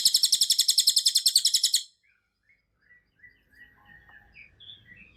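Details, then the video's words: Cililin singing for birds to learn from: a fast, high, buzzy trill of evenly spaced pulses lasting about two seconds, then quieter scattered chirps and faint background sounds. "SUARA BURUNG CILILIN untuk masteran || FULL DURASI & TEMBAKAN RAPAT"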